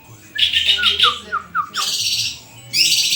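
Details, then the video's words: Captive white-rumped shama in full song: a run of clear descending whistled slurs near the middle, framed by dense, loud high chattering bursts at the start and end, with a faint low hum behind. "SUARA INDAH BURUNG MURAI GACORRRRR!!!"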